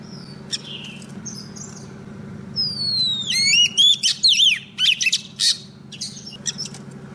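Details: Female Oriental magpie-robin singing to call a male, used as a trapping lure. After a few scattered chirps, a long descending whistle opens a burst of sharp swooping notes and clicks, then the song fades back to faint chirps over a constant low hum.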